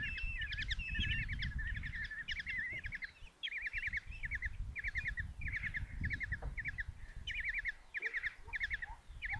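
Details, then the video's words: Common Kestrel chicks beg at their nest box in Tiszalök, Hungary, on a June 27, 2024 morning as the mother feeds the five young a mouse: repeated short, trilling chitters in quick spaced groups over louder low background rumble. "Common Kestrels | Mom brings mouse in breakfast for five babies"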